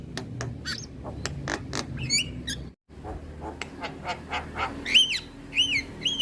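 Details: A male Javan myna sings a fast series of dry clicks, then clear arched whistles repeated near the end, after a brief silent gap.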